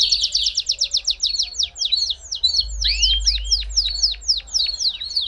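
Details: Belgian canary song, played to warm up a canary: fast, even series of sharp downward-swept chirps, then wider looping, rising-and-falling whistled notes repeated about four times a second. A faint low hum sits underneath.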